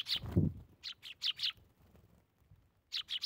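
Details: Eurasian tree sparrows feeding in the morning in winter give bursts of short, bright chirps in groups of three or four, separated by a pause, with a low thump near the start.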